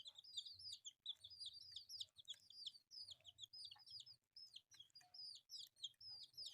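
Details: Many colourful chicks feeding on rice give shrill, wavering, downward-sliding peeps in quick bursts, with a faint low hum in the background.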